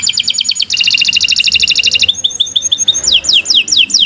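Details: Canary in long, continuous song used as a master recording to train other birds: dense buzzy trills of rapidly repeated high notes, then a slower run of clear notes, ending in quick descending sweeps.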